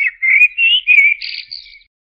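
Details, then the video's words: Blackbird song phrase of mellow, fluting whistles gliding up and down, followed by a thin, high, squeaky twitter that fades out; quiet, clean background. "تغريد طائر الشحرور جحمومية الزرياب Turdus merula"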